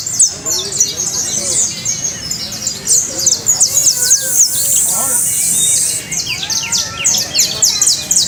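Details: Canary trilling in fast rolls of high, sharp repeated notes, the phrases shifting in speed, while people talk in Spanish close by.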